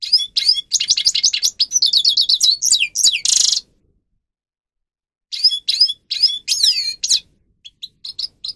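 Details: Grey-crowned goldfinch song meant for training captive birds, with fast trilled twitters and a harsh buzz, nearly two seconds of silence, then scattered high chirps and whistled slurs.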